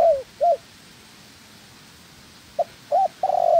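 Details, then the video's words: Spotted dove kept as a decoy bird for trapping, in training: low hollow coos in short paired notes, a silent gap, then a quick note, another coo and a longer drawn-out purring coo. "Chim Cu Gáy (trap bird) Tập mồi."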